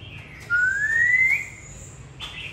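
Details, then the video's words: A single long clear whistle rising smoothly, given by an old caged white-rumped shama put out in the late-afternoon sun after bathing, followed by a brief higher note. "Phơi nắng chiều choè bổi già hót sổng"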